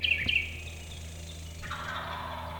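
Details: Wild Turkeys, four young males (jakes) about 30 yards away, gobble in a rapid rattling burst that fades into a second, softer gobble, over a steady low hum of background noise.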